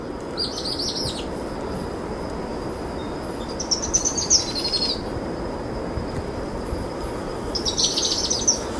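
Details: Two powerful owl chicks being fed possum by their mother after dusk, trilling with rising intensity. Three high, buzzy trilled bursts are spaced a few seconds apart, over constant low rumbling noise.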